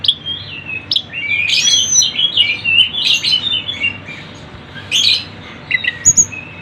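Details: Lively Sunda bush warbler song for luring birds: tumbling twittered phrases with several loud sharp notes, quieter pauses, and a thin high whistle near the end.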